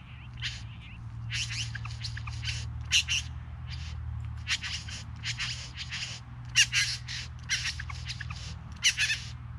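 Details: Three bowerbirds give rough, hissing, broadband rasps in irregular bursts, some short and some drawn out, with brief gaps between them over a steady low hum.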